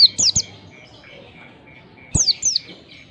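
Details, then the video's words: Oriental white-eye, a recording meant to prompt young birds to sing: two quick bursts of high, downward-sweeping chirps about two seconds apart, separated by a faint, steady thin tone. "pancingan pleci bakalan agar cepat ngalas gacor !!!, merangsang pleci cepat gacor"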